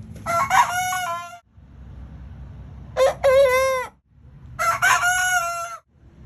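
Young roosters crow three times, each a harmonic, slightly strained crow lasting about a second, one rising then falling in pitch; low rumbling background noise between crows.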